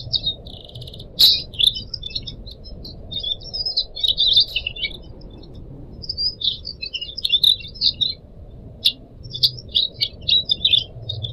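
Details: Caged Pied Triller kept as a pet in Indonesia, chosen as a tutor song for training young birds: lively chattering phrases of high, twittering notes in quick bursts, with short pauses, over a soft low rushing background.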